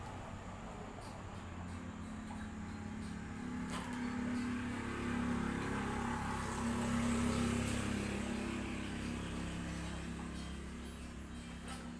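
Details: Steady low mechanical hum, like a fan or distant engine, fills a small indoor room, with no animal voice heard.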